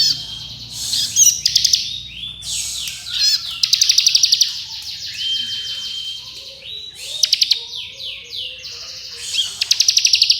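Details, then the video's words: Bar-winged prinia performing rapid drilling trill variations, offered as master audio for training songbirds: overlapping buzzy trills and level whistles run almost without pause, with sharper stuttered bursts standing out every few seconds. "Ciblek Kristal Ngebren Nembak Variasi Speed Rapat"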